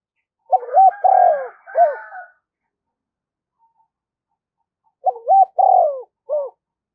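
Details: Spotted dove cooing as a lure for wild doves: two matching phrases of three to four coos each, a rising-falling hooked note closing each phrase, separated by a pause of about three seconds.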